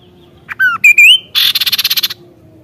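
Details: Kaso-kaso in full 'gacor nembak' song: a brief buzzy note, a slightly falling whistle, then loud rising whistles, followed by a harsh rapid rattle of about ten pulses over under a second.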